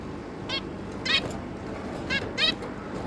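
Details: Short, buzzy nasal beeps from a zebra finch family of two adults and three juveniles, 11 May 2022, four loud calls in pairs roughly a second apart, low hum underneath.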